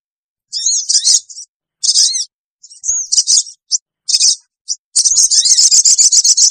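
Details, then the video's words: Small sogon bird lure call: scattered shrill chirps and short notes, then a fast, even trill of high ticking notes over the last second and a half. "suara pikat burung kecil sogon bikin sogon liar cepat ngumpul"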